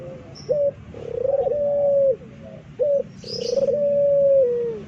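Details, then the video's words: Loud pelung turtle dove from Indonesia, kept as a songbird, cooing in a long drawn-out howl: short clipped notes followed by sustained level hoots that droop at the close, over a faint background hum. "suara puter pelung keras MELOLONG ANJING HUTAN"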